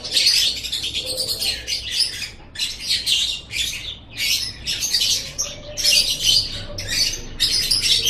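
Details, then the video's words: Lovebird chatter from a training recording for kept birds: steady series of shrill, scratchy squawks and squeaks several per second, with a short lull before resuming loudly. "Masteran Suara Burung Love Bird"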